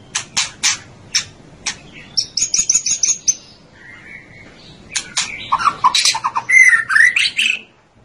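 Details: White-rumped shama song with sharp clicking notes, a high buzzy phrase, then a low whistle. It ends in a busy run of rich, slurred whistles and chattering notes, and a faint background hiss runs throughout.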